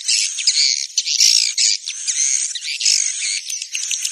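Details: Swiftlets in a roosting lure recording meant to draw birds into a swiftlet house: dense, continuous high twittering and chirring, harsh buzzy bursts packed closely together with brief dips in loudness.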